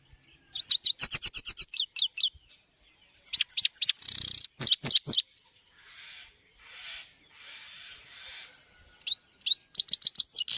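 A goldfinch sings in quick bursts of bright, high twittering chirps and trills, with short pauses and softer buzzy notes between phrases.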